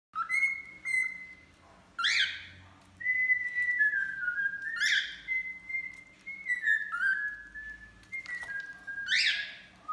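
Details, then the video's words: Male and female cockatiels singing while bathing indoors: long steady whistled notes near one pitch, some gliding down, broken by sharp rising-falling chirps about every two to three seconds. "Calopsitas Macho e Femea Cantando Tomando Banho"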